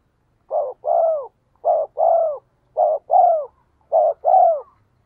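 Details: Spotted dove decoy call for prompting wild doves to answer. There are four rhythmic coo pairs, each a quick low note then a longer, sagging coo, spaced roughly a second apart, against a clean background.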